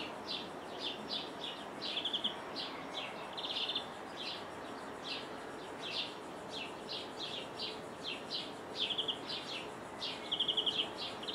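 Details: A European greenfinch outside a window in Jordan gives quick, high twittering calls, broken every few seconds by short, fast metallic trills, over a steady background hiss.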